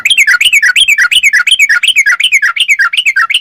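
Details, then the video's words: Continuous, dense bulbul chatter: fast, liquid, slurred notes that rise and fall, repeated almost three times a second without a break. The sooty-headed bulbul is singing vigorously. "Suara Trucuk Gacor Super Jernih"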